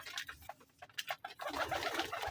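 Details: Domestic pigeons (Columba livia) kept as a hobby flock, including Kaldam, Giribaz and local breeds, give soft, throaty coos and short grunting calls in a small enclosed space.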